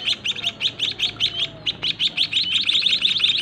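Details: White-headed munia chicks begging as their parents feed them in a small cage: hurried, thin, high-pitched cheeps, slightly uneven and growing denser in the second half, with a faint hum behind.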